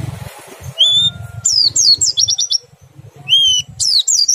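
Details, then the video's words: Oriental white-eye song meant to get other white-eyes singing: clear thin whistles alternating with short bursts of high twittering trills, with pauses between phrases and a low murmur beneath. "PLECI meriwik ngerol sambung nembak, sangat ampuh merangsang pleci ikut bunyi"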